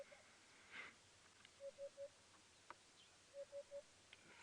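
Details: A male African hoopoe at sunrise (6:30 AM, 12 November 2016) in a South African game reserve, puffing up his neck, gives two soft, low phrases of three evenly spaced 'hoop' notes, calling for females; short chirp and faint birds between.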